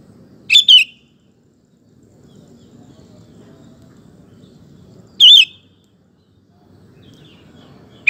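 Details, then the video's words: Sooty-headed bulbul in a lure recording for prompting male bulbuls to sing; short bubbly phrases repeat roughly every four to five seconds, a low rumble filling the gaps. "Kutilang Gacor Ampuh untuk Pancingan Maupun Masteran Burung"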